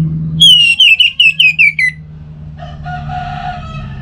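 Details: Orange-headed thrush song used as a lure to make a kept bird sing: a series of seven loud, clear whistled notes, each sliding downward and dropping step by step in pitch, then a rooster crowing in the background.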